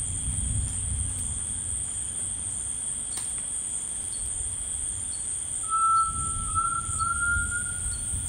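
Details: In rainforest, a grey tinamou gives a clear, sustained whistled note that edges slightly upward and lasts nearly three seconds, set against constant shrill insect buzzing, faint repeated high chirps and low-frequency rumble.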